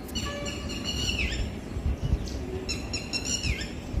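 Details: Indian peafowl perched on a tall tree, calling friends as the sky turns cloudy before rain: two drawn-out, rich harmonic calls, each ending in a downward slur, roughly two seconds apart, over low rumbling background.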